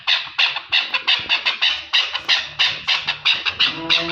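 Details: Chukar partridge of Pakistan calling loudly in a fast, steady run of rough chuck notes, about three each second, with a faint low tone near the end.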